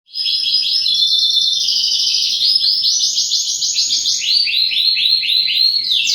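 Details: Canary singing continuously and loudly, long high rolling trills of rapidly repeated notes shifting in pitch from tour to tour, with no pauses.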